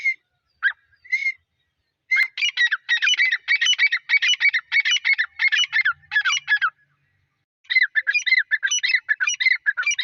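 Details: Grey francolin, with chicks: a loud, harsh run of quickly repeated ringing phrases that rise and fall, going on for several seconds, then a brief pause before the rhythmic series starts again.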